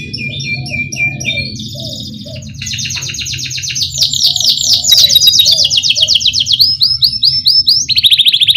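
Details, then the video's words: Canary in full 'ngerol' rolling song, played to prompt young canaries to sing: chirped phrases build into loud, dense, fast-pulsing high rolls and end in a sharp trill. Low mechanical hum and soft lower notes in the background. "Pancingan Kenari Gacor NGEROL Cuit CUIT"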